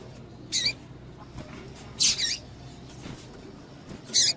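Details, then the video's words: Female double-collared seedeater call meant to excite males: three raspy high chirps, each with a short trailing tail, spaced roughly one and a half to two seconds apart, faint hum behind. "PIADO DE FÊMEA DE PAPA CAPIM PARA DEIXAR SEU PAPA-CAPIM DOIDO"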